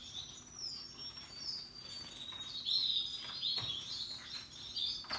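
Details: Russian yellow and Timbrado canaries in happy song with other birds: high whistled slurs and rapid chirps building in loudness, overlapping warbled phrases throughout.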